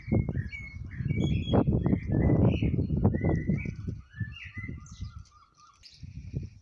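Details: A blackbird calls out to his mate with a run of clear whistled, warbling notes, then one long steady fluted tone, partly masked by loud low-pitched rumbling and knocking noise.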